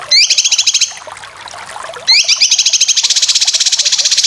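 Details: Cucak kinoy in a full training recording for competition birds. A short bright chatter, then a soft pause, then a long, fast, rattling high trill that runs to the end.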